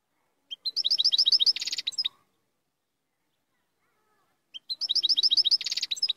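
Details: Moroccan royal European goldfinch singing two quick phrases of rapid, high, liquid twittering with a buzzy middle section, separated by about two and a half seconds of silence.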